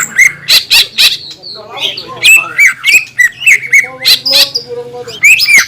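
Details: Energetic green leafbird song meant to rile up rival leafbirds: fast, choppy series of chirps, sharp clicks and squeaky whistles, about three notes a second, with brief harsh bursts and a low hum underneath.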